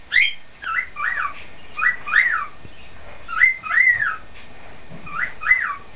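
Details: Male cockatiel in his cage whistling at full volume, repeating a paired whistled phrase of two arching, rising-then-falling notes roughly every one and a half seconds, with short chirpy notes between.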